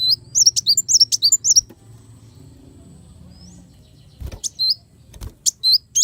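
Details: Brown-throated sunbird (kolibri wulung) recorded as master song for songbirds: a quick burst of high, sharp down-slurred chirps, a silent stretch with a couple of dull knocks, then scattered bright notes.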